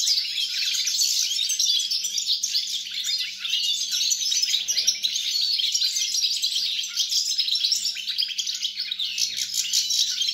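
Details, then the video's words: European goldfinch song recorded 29 December 2022: an unbroken, dense stream of bright twittering and tinkling notes, quick liquid trills and chirps running without pause, with a steady faint low hum underneath. "GOLDFINCH SONG"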